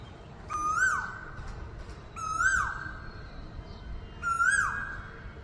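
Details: An Asian koel calling close by in the early morning, around 7 am, gives three loud, clear whistled notes, each rising then sliding down, about every two seconds over a low background hum.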